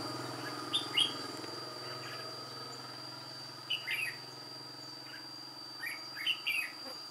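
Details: Trapping with an old white-cheeked red-whiskered bulbul decoy singing solo, 1 July 2018: three spaced phrases of lively, slurred whistles, each of two to four notes, against a faint constant hum.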